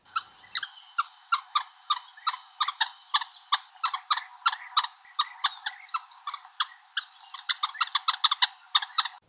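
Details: Greater Honeyguide in Southern Africa giving its dry, chattering guiding call: rapid rattling notes, about four or five per second, steady for nine seconds, speeding up near the end.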